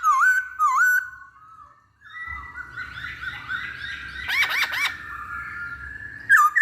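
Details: Masked laughingthrush song used as a lure to stir other birds to sing. Looping whistles open the clip, followed by a long sustained whistle with a chattering layer and a brief burst of sharp notes.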